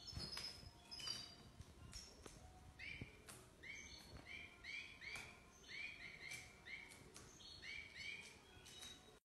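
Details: European goldfinch, praised as a first-rate 'pisador' singer, gives bright twittering song: short metallic notes and slurred chirps repeated in quick bursts, with faint background noise throughout.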